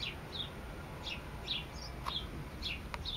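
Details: Sparrow singing: faint, short descending chirps repeated at uneven intervals over steady low background rumble, with a couple of sharp clicks.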